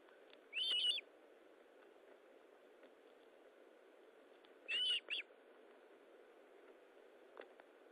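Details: Osprey at its nest during feeding, recorded 19 July 2012 at 9:43; two short bursts of high whistled chirps, near the start and again after about four seconds, over steady background hiss.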